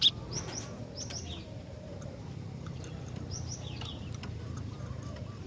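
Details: Female cinereous tit calling to stir males into singing: short high chirps and slurred whistled notes in two loose bursts, early and again after three seconds, over a steady low hum of background noise.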